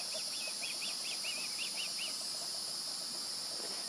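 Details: Young osprey near the nest, 16 July 2020, calling in a brief burst of about nine sharp, high chirps within two seconds, then only steady hissing, buzzing background noise remains.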